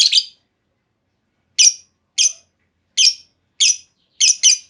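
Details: Female lovebird lure call intended to make lovebirds respond with long trilling: harsh, high, scratchy chirps repeated singly about every second, with a quick double note near the end.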